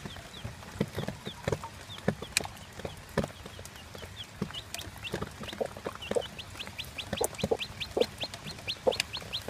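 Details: One-day-old chick with its mother, a mostly Plymouth Barred Rock hen, father a Barred Cochin: thin rising peeps repeat steadily, faster near the end, over scratching clicks and occasional low clucks.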